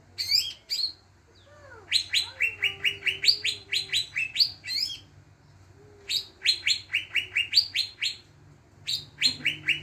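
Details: Lure recording of greater green leafbird song meant to prompt other birds into singing: runs of quick, bright, rising chirps in repeated bursts, separated by short pauses and soft sliding whistles, over a faint low hum.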